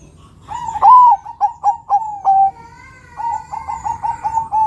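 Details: Zebra dove, Bangkok crossed with local stock, singing to prompt others: a softer, echoing phrase of bent opening note, several short notes and a held ending, then a run of quieter repeated notes.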